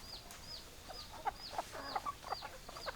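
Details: Chickens: clipped, throaty hen clucks come in quick irregular bursts beneath bright, high peeps that slide downward about twice a second, all over a hissy background.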